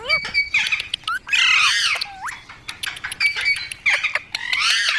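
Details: A green parrot, locally mitthu or tota, makes natural sounds: sharp screeches, rising whistled notes and rasping chatter come in dense bursts, one after another.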